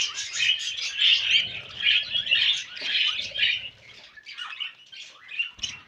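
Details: Pair of budgie brothers mating, giving dense warbling chatter of raspy squeaks and chirps in rhythmic bursts, quieting to softer scattered notes after about four seconds.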